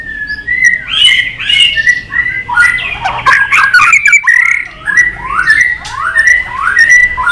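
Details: White-rumped shama in a long, flowing fighting song: continuous warbled whistles, repeated downward-slurred notes and dense chattering in the middle.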